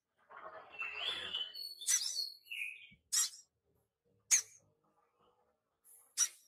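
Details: Young crimson sunbird practising its song, a nectar-feeding bird of flowering trees: a soft, thin warble of high twittering notes, then sharp, loud clicking chips spaced one to two seconds apart.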